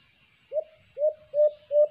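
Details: Alimokon, the white-eared brown dove, recorded on a cage-trap bird hunt: four mellow low coos, each opening with a quick upward swell and then a level tail, repeated at steady half-second intervals.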